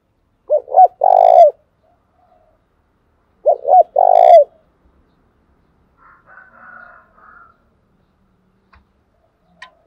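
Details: Spotted dove from Đồng Nai giving a provoking coo used to stir and train decoy birds: two loud, low, hollow coo phrases about three seconds apart, each with two short notes and a longer drawn-out one, then a faint higher murmur.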